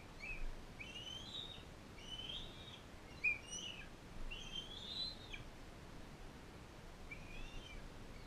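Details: At a wildlife care centre, a non-releasable adult female bald eagle fosters a young bald eaglet; thin, high chirps and squeaky whistles come in short bursts about once a second, faint over a steady low outdoor rumble.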